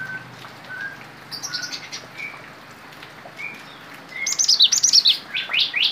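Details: Cinereous tit trained with Bar-winged prinia song: scattered soft high notes, then a fast run of bright, sharp, repeated chirps near the end, rising and falling in quick succession.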